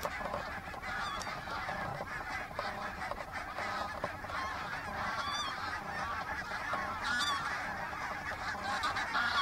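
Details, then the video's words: Flock of geese coming in to land at Minsmere, giving a dense chorus of overlapping nasal honks, some rising and squeaky, with constant rushing background noise. "Flock of Geese flying at Minsmere"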